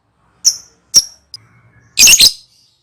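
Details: Lovebird giving ngekek calls used as a lure: two sharp, shrill shrieks half a second apart, then a louder doubled burst of harsh, high chattering near the end. A faint low hum sits underneath.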